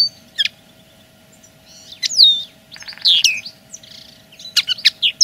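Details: Scattered linnet song as a territorial claim, with a few sharp chirps, a swooping whistle, a brief buzzy rattle and a closing cluster of quick high notes, separated by quiet gaps.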